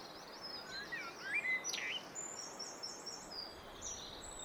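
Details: Common blackbird singing: a few low fluty warbled whistles rising and falling, followed by a thin high twittering flourish, over steady outdoor background hiss.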